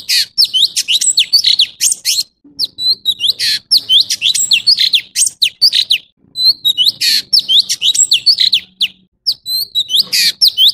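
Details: Orange-bellied leafbird, a singing male, delivers a loud, rapid, varied song of sharp whistled notes, slurred chips and harsh buzzy bursts in phrases of about two seconds separated by short pauses.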